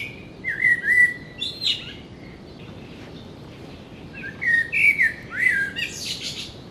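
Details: Fluty, melodious song of a Common Blackbird in a garden, an early-morning and late-evening singer: two slow whistled strophes separated by a pause, each ending in higher, squeaky chuckling notes.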